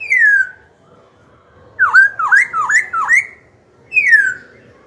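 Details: Black-throated Laughingthrush song meant to stir rival birds and train young birds. A long falling whistle, four looping V-shaped whistled notes in quick succession, then another long descending whistle.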